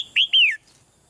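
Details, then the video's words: Caged female red-whiskered bulbul calling gently to encourage a male to sing louder: a short whistle followed by a longer arching note sliding downward. "นกหัวจุก birds - นกตัวเมียร้องเบา ๆ ในกรงเรียกนกตัวผู้ให้ร้องแรงขึ้น"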